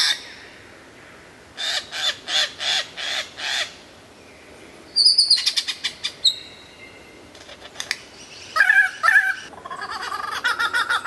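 A lyrebird runs through a varied medley: five harsh rasping bursts at half-second intervals, then sharp high whistles, quick clicking chatter and warbled phrases.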